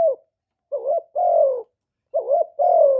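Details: Kept spotted dove cooing, its calling and cooing played to stimulate newly kept doves to call, recorded indoors without background noise: two deep phrases, each a short wavering coo then a longer, smooth, slightly falling coo, about a second apart.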